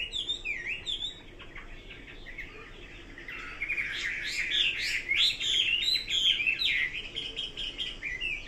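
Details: Chinese hwamei song opening with a few clear repeated whistled notes, then bursting into a loud, dense, jumbled stretch of rich warbling and trills before easing back to spaced whistles.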